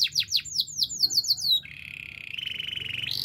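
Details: Canary, labelled a Spanish timbrado, sings a quick run of about ten high, falling chirps, then shifts into a steady metallic roll and a faster, slightly rising trill; identified as a Belgian canary.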